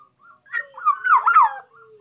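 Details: Black-naped oriole in vigorous song, kept for contests: a soft low whistle opens, then a loud, mellow, warbling phrase of rolling up-and-down notes, fading back to a quiet low whistle.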